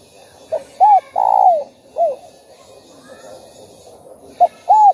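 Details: Spotted dove, a kept bird, cooing in a recording played to stir other doves to sing. A short note comes first, then arched hollow coos and one long falling coo, with a pause before two more coos near the end.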